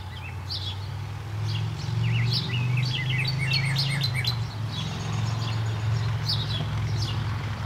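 A cardinal gives short, bright, slurred notes and quick chips in scattered bursts, over a steady low rumble of background noise.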